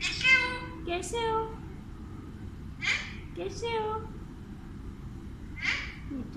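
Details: Pet Alexandrine parrot greeting with words like 'Kesy Ho' and 'Assalam o Alaikum' in Urdu/Hindi; a string of raspy, voice-like syllables, the first one long and loud, then shorter mimicked words spaced a second or two apart over steady indoor hum.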